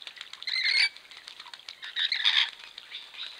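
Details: Rainbow lorikeets (Trichoglossus moluccanus) bathing in the wild, filmed by a camera trap: two loud grating squawk bursts about a second and a half apart, with faint chatter and splashing between them.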